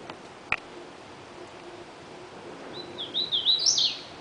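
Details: A male Hooded Warbler singing on territory in the Francis Marion National Forest, South Carolina: a clear whistled song of quick rising notes, climbing to a loud, emphatic end phrase; a single sharp click sounds earlier.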